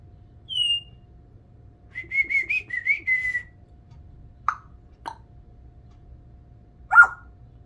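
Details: A 36-year-old female Congo African grey parrot that lives with dogs gives a sliding whistle and a warbled whistled phrase, then three short, hoarse barks spaced a second or two apart, mimicking a dog.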